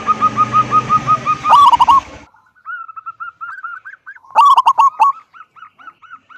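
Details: Local zebra dove singing to draw other doves in: steady coos over a noisy background at first, then a rough burst, a run of wavering coos, another burst and softer coos.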